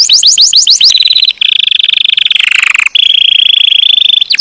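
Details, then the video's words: Singing canary delivering quick downward-sweeping notes that give way to long, even, very rapid rolling trills broken by brief pauses, all high-pitched and loud. "Chant canaris magnifique"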